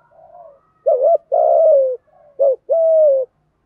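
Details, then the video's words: Spotted doves, male and female, in continuous 'thúc gù' cooing for training caged decoy birds. A quiet soft coo, then two loud phrases, each a brief wavering note and an extended, level-to-falling coo. "tiếng chim cu gáy thúc gù bài bản, ra bài liên tục"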